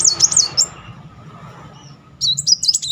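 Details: High, thin twittering from a sunbird singing steadily, played as a lure for silent birds: a brief burst of slurred, wavering high notes, a pause, then another tumbling burst.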